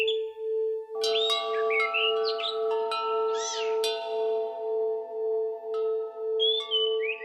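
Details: Orange-headed thrush song used as a therapy track to get silent caged birds singing: bursts of varied whistled and slurred phrases, rising and falling, over a steady loud pulsing low electronic tone like a singing bowl throughout.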